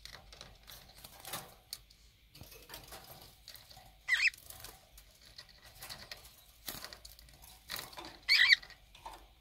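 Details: Two conures, a mated pair, fighting while they bathe in drinking water on 23 February 2019: two brief, rasping squawks several seconds apart over intermittent splashing.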